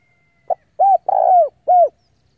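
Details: Spotted dove decoy bird calling rivals in for a fight; one phrase: a short clipped note, a rounded coo, a long drawn-out falling coo and a final falling coo.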